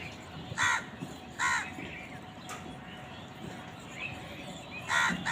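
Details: Crows calling while fighting over food: short harsh caws in separate bursts near one second, one and a half seconds and five seconds, over a steady low background hum.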